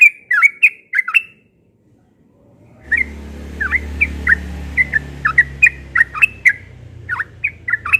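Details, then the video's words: Morning ropel song of a yellow-vented bulbul, delivered persistently: short gurgling note groups at the start, a brief pause, then a steady stream of rapid chirpy phrases over a low background hum. "Burung Trucukan Ropel pagi NGOTOT"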